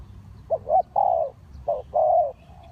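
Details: Spotted dove used as a lure for trapping wild birds, giving low hollow coos: a short note followed by a longer, slightly falling note, the pair given twice over quiet background.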